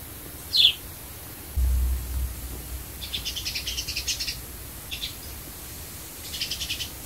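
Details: Sparrow sound used to attract birds: a single sharp chirp, a brief low thump, then rapid stuttering chatter in quick bursts, pausing and resuming twice.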